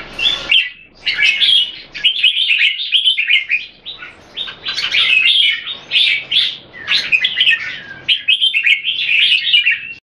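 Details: Caged red-whiskered bulbuls, two birds matched against each other, Singapore-style keeping: lively rapid warbling built from clustered chirps and rolling phrases, loud bursts with short gaps between, with no other clear sounds.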